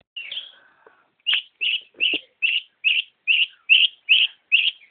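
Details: Long-tailed shrike singing energetically: one harsh, falling note, then a steady run of nine short, bright chirps about a third of a second apart.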